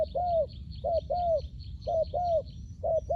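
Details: Spotted dove used as a lure for wild doves, giving soft hollow coos in pairs, a clipped note followed by a drawn-out curving one, roughly once per second; faint high twittering of other birds behind a low steady hum.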